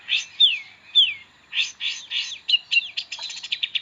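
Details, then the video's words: Long-tailed shrike in full song, used as a tutor for magpie-robins: clear downslurred whistles mixed with scratchy bursts, then quickening chips and trills, with varied mimicked phrases and no background noise. "Pentet istimewa.... isian oke banget. pas buat masteran burung murai."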